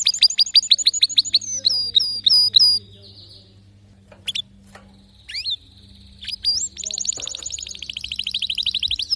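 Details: Canary singing a varied song of high whistled notes: fast repeated chirps, sweeping upslurs, a brief high buzzy trill, then a rapid rolling trill, with a steady low hum underneath.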